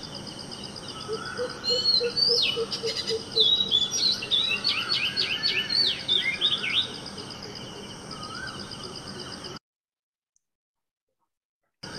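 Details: A male Oriental magpie-robin in India sings a rich, varied song of whistles, slurred notes and rapid phrases. It mimics a shikra and a common tailorbird, and the song stops abruptly near the end.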